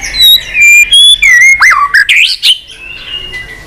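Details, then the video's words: White-rumped shama, singing persistently and flicking its tail on the perch, gives clear sustained whistles that step up in pitch, then twisting slurred notes and a rising flourish before fading out. "kích chòe lửa hót cực bền.hót liên tục , tạch đuôi sàn cầu kích là hót.chòe lửa hót nhiều giọng lạ"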